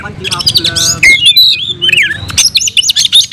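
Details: Oriental magpie-robin, locally kacer, pouring out its varied fighting song: mixed harsh and sweet notes, a sharp high whistle, a looping warbled phrase, then quick, clipped chips at the end.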